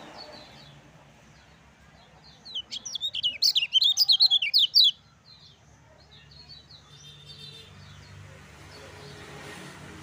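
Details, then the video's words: Lemon-bellied white-eye, 'ciak ciak jos' style song for training other birds: a single burst of roughly two seconds of rapid, very high twittering whistles amid an otherwise quiet background with faint hum. "SUARA KECIAL KUNING GACOR NGEJOS"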